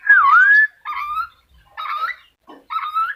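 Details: Black-capped lory giving loud, screechy whistled calls: a long swooping note that dips and rises, then shorter rising notes in bursts separated by brief pauses, with no other sounds.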